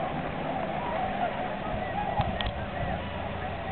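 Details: Flock of migrating tundra swans at a spring stopover, Aylmer Wildlife Management Area, March 15, 2009; steady massed chorus of overlapping mellow, hooting calls forms a continuous murmur, a few louder clear notes rising above it.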